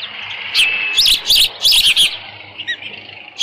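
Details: Osprey at a nest on a ranch, 13 June 2018, late morning with leftover fish; a few loud wavering whistled chirps in quick succession over background hiss, then a faint short note.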